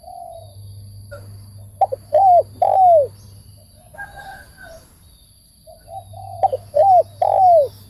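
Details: Two phrases from a spotted dove, each a quick stutter of short notes followed by two longer, rounded, falling coos. A faint higher chirp from another bird comes between them.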